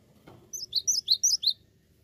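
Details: Cinereous tit singing a fast burst of seven sharp, high chirps, each note quickly rising then falling, packed into about one second over faint low background hum.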